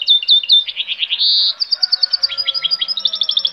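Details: Goldfinch hybrid song: quick tinkling high notes, a short buzzy burst, then rapid repeated chirps and trills running on without pause; faint low hum underneath.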